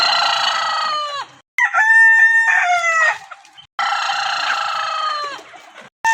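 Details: Successive loud rooster crows, each a long, buzzy, harmonic held note tailing off downward. Crows follow one another with brief gaps, and one is more broken and stuttering.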